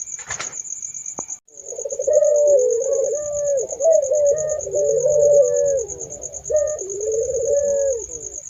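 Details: After a sharp click, Barbary doves start a run of overlapping low, wavering coos with occasional upward lifts, over a constant high rhythmic insect trill.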